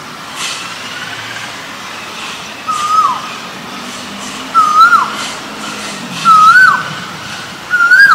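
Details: Male Asian koel calling loudly, four upward-sweeping whistled notes, each ending in a quick drop, repeated about every two seconds over a low hum.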